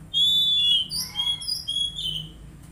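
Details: Brief Oriental magpie-robin phrase from a therapy recording for untrained birds: one long, loud whistle, followed by several shorter whistles stepping up and down.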